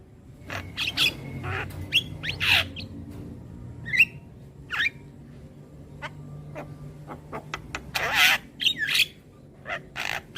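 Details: Javan myna singing, used to train young birds: a loose series of raspy squawks, clicks and short whistled slurs, with a denser cluster of loud harsh notes near the end, over soft low-pitched background noise.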